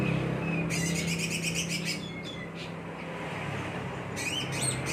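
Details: Green leafbird, a prospect bird, giving bursts of high, rapid chirping and trilled notes in two phrases separated by a pause, over a steady low hum and background noise.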